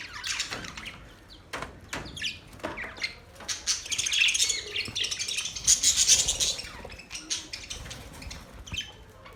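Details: Singing budgerigars in a mating call: a mix of quick ticking chirps and a softer rolling warble that swells in the middle, with high squeaky notes over the chatter.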